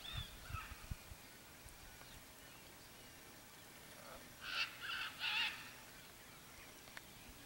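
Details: Red-and-green macaw (Arara-vermelha) in Brazilian riparian forest, foraging for fruits and seeds: three loud, harsh, raspy squawks in quick succession late in the passage, after scattered faint bird chirps and a few knocking sounds.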